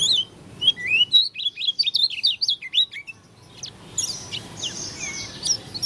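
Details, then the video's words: Oriental white-eye of the 'dakun' form from Lombok, singing an unusual song: a rapid chattering burst of high zigzag twitters, about eight notes a second, then softer scratchy notes. "Pleci dakun lombok suara aneh"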